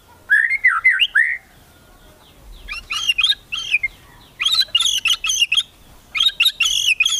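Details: Kretekan song of a white-rumped shama, used to stir rivals into singing: a fluent slurred whistle opens, followed by bursts of harsh, rattling, crackling notes mixed with whistles, repeated in three clusters separated by short pauses.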